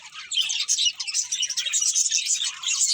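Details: Brief flurry of budgerigar chirps, thin and high, pulsing in quick overlapping bursts from more than one bird.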